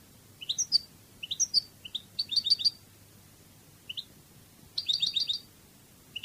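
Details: European goldfinch of the Cadiz song style from a training CD, giving bright twittering bursts of rapid high notes with short pauses, clean background.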